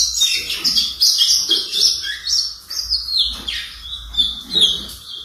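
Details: A four-month-old blue-black grosbeak, still brown, trying out its first notes: a continuous, scratchy, high warble of short slurred whistles and chirps, with a few downward-sliding notes and brief gaps.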